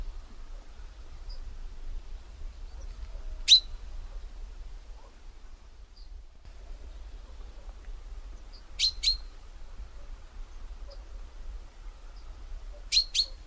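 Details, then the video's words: Chaffinch calling in a quiet setting: a single sharp high note, then after a long pause two clipped double chinks, each pair close together, with faint low background hum. "Chaffinch call"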